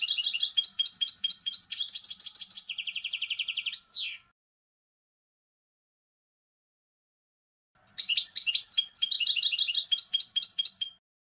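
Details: Goldfinch song in two bursts separated by a pause of about four seconds: rapid, tinkling, twittering phrases with buzzy trills and bright repeated notes. The first phrase ends in a quick downward slur. No other sounds are present.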